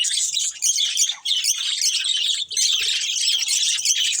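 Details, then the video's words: Chirping from a budgerigar breeding pair, a busy high-pitched chatter of quick chirps and scratchy squeaks with two brief pauses. "Beautiful Budgies Chirping Sounds"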